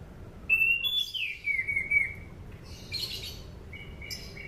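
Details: Sunda pied fantail singing, recorded as a lure for training birds: a loud whistled phrase rising then descending in wavering steps, followed by quieter chirps and short whistles.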